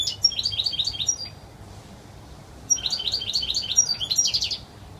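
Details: European goldfinch delivering clear wild-style song in two fast, high-pitched twittering bursts of about one and a half seconds each, with a brief silent gap between them.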